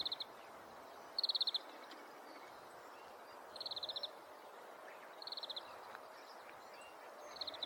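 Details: Oriental greenfinch calls in a Hokkaido neighbourhood: short rapid rattling bursts of twittering notes, repeated at irregular intervals of one to two seconds, with a steady noisy background.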